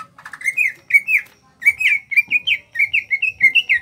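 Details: Kalimantan greater green leafbird, a small-bodied cage bird, repeating short clear looping whistles, each a rise and fall, in quick regular sequence after a brief pause, part of its 'gacor ngentrok' singing.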